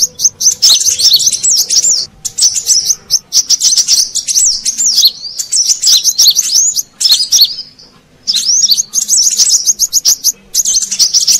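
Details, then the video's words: Brown-throated sunbird lure sound for attracting wild birds: rapid, shrill twitters and squeaky slurred notes run on in long bursts, with brief gaps around two, seven and eight seconds. "Suara Pikat Burung Kolibri Kelapa Manggar"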